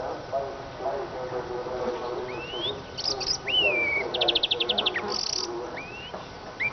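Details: Eurasian siskin giving scattered rising whistles, a brief buzz, a quick trill of ticking notes and a harsh hissing note against a murmuring lower background.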